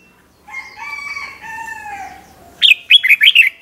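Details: Red-whiskered bulbul 'double' song for training young birds: a drawn-out, slightly falling harmonic call from another bird comes first, then five quick, bright warbled bulbul notes.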